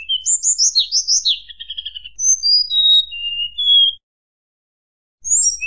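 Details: Flute-like nyuling song from a tledekan gunung, made to enrage rival birds: tumbling high chirps, a buzzy rattle, slow descending whistles, then over a second of silence before more notes.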